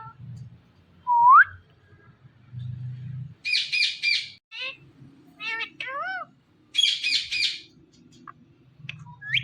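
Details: Talking green Indian ringneck parrot: a rising whistle, then bursts of harsh, buzzy voice-like chatter, wavering mimicked syllables and another chattering burst, with a low indoor hum between phrases.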